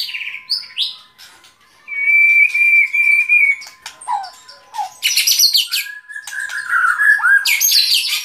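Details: White-rumped shama singing a varied run of clear whistles, short swoops and dense high-pitched chattering bursts, with a steady faint hum running underneath.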